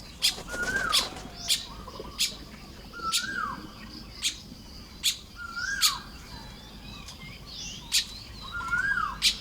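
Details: Baya weavers weaving nests in the early morning in Lopburi, Thailand, 1 May 2026. Steady, scattered high chirps and clicks with repeated short, down-slurred whistles, forming a busy colony chatter.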